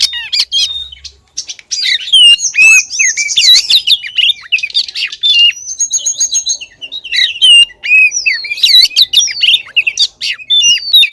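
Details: A female oriental magpie-robin calls the male, played as a lure: lively stream of high whistled upslurs and down-curling notes, some thin held whistles, and scattered scratchy bursts.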